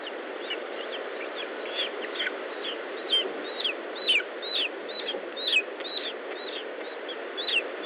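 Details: Lesser spotted eagle at its nest in Estonia, 19 July 2012 at 10:54: thin, high whistled calls that slide steeply downward, given irregularly about once a second, some louder and sharper, over a steady broad background hiss.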